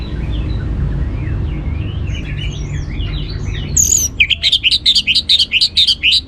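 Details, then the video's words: Orange-headed thrush song, used to coax other birds into singing. Soft twittering gives way to a loud, rapid, rhythmic series of sharp repeated whistled notes, roughly two a second, steady to the end, with low hum. "ANIS MERAH Cor Suara Penggoda Membuat Burung Kenceng Jadi Ngeplong Lanjut Teler"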